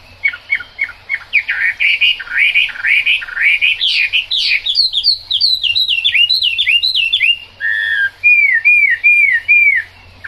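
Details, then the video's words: Chinese hwamei singing in the rain: a loud, varied run of whistled phrases, rapid upslurred notes early, then looping rising-falling trills and a final series of repeated arched whistles around two seconds apart, steady low hum beneath. "Họa mi hót trong mưa"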